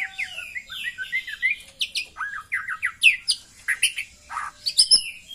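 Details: Female white-rumped shama calling to heighten male breeding drive: a lively medley of downslurred whistles, sharp chirps and squeaky notes delivered in irregular quick bursts, with brief gaps.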